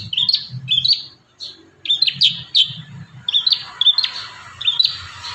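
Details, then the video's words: Kurincang singing actively with varied fill-in phrases, used as master audio for training young birds; short bright chirping phrases repeat in bursts about every half second, each with a quick rising-falling twist, and brief pauses between groups. "Masteran terbaru burung kurincang gacor isian"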